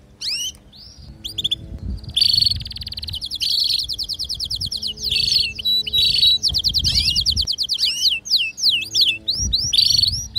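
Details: Household canary pair, the female calling for mating while the male sings: fast rattling trills repeated over several seconds, interrupted by buzzy bursts, then a series of swooping up-and-down whistled notes.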